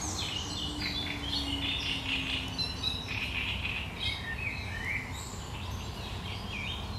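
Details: Great reed warbler singing on 1 July 2020, a sharp, chattering song: dense run of harsh, grating notes and short churring phrases, steady and busy throughout, over a low background rumble.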